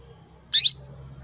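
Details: One short, piercing chirp from a female canary in breeding condition calling males, rising then dipping, against faint low hum.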